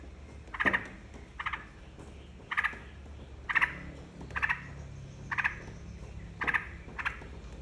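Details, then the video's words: Bulbul lure song, a yellow-vented bulbul used to prompt other birds to sing: sharp, clipped chattering notes repeated roughly every second, about eight in a row, over low rumbling background noise. "PANCINGAN TRUCUKAN DIJAMIN IKUT BUNYI"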